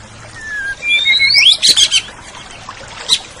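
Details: Oriental magpie-robin song used as a training recording for caged songbirds: clear whistled phrases slide and rise sharply, followed by a quick burst of bright notes and a final short chirp.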